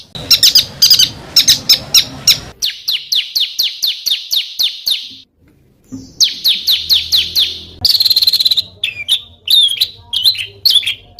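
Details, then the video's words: Small cage-bird songs edited into a training compilation for contest birds: rapid runs of sharp high chirps, a steady train of buzzy notes, a brief gap, then varied whistled trills and fluttering notes. "SUARA BURUNG KECIL TEMBAKAN KASAR"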